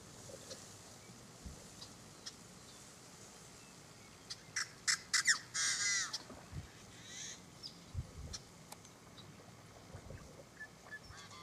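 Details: Yellow-headed Blackbird at the Bruce Rd mitigation wetland, William L. Finley National Wildlife Refuge, Oregon, USA: a quick run of clicks, then a harsh, strained buzzy note midway, with scattered faint chips before and after in an otherwise quiet marsh.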